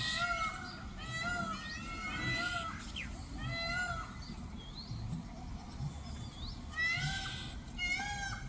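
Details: Indian peafowl with a peacock performing its dance display: a series of loud, arched, mewing calls in groups, with quieter high chirps between and a low rumble underneath.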